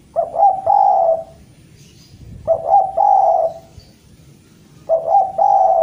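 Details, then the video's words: Spotted dove from Java calling to challenge a rival, giving three similar phrases about every two and a half seconds, with clipped, stuttering coos leading into a drawn-out, husky note. "Derkuku jawa gacor memanggil lawan"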